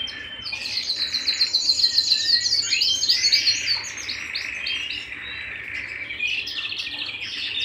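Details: Domestic canary singing indoors at home: a burst of rapid, sharp, very high repeated notes, then lower warbling rolls and twittering flourishes.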